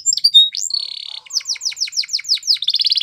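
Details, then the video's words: Belgian canary singing like a champion: short high chirps, a steady buzzy held note, then evenly spaced falling whistled notes about six per second, ending in a rapid trill. "Make Your Canary Singing Like Champion | Belgian Canary Song"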